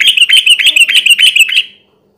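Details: Energetic yellow-vented bulbul song meant to coax rival birds into singing: a dense burst of liquid, warbling chirps lasting under two seconds before stopping cleanly.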